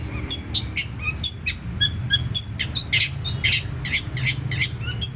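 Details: Long-tailed shrike song, lively and full of varied phrases: mixed high chirps, buzzy notes and brief whistles tumbling together irregularly, with a low background hum.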